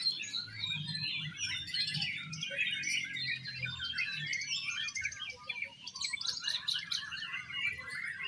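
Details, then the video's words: At a singing competition, Oriental magpie-robins sing in exotic style: crowded high warbles, clipped whistles and rasping notes overlapping steadily, over a low droning background. "LOMBA BURUNG KICAU KACER -KACER TAMPIL GAYA EXOTIS"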